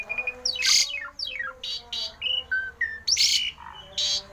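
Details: Rare, unusual song of a Javan pied starling, used to set other starlings singing. It mixes falling whistled glides, a series of rasping bursts and short clear whistles, all over a faint steady background hum.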